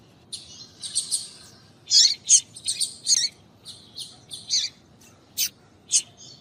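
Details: A female double-collared seedeater (papa-capim) gives rapid high chirps to stir males into singing, short buzzy notes in irregular bursts with sharp single ticks between, steady and close in a quiet setting.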